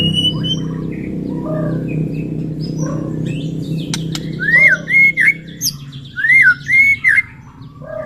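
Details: White-rumped shama singing in the morning, used to stir other shamas' fighting spirit. Steady low hum fills the first half, then loud rising-and-falling whistled phrases arrive in a burst near the end.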